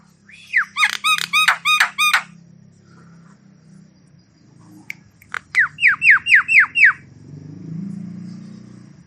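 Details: Javan myna in varied song, played to stimulate stressed or quiet mynas; two bursts of quick, ringing down-slurred notes repeated about four times a second, with a low humming noise beneath.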